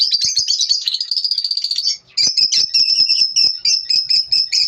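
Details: Lovebirds chirping in the morning, a fast high-pitched twittering run, a brief silence near two seconds, then quick, evenly repeated sharp chirps.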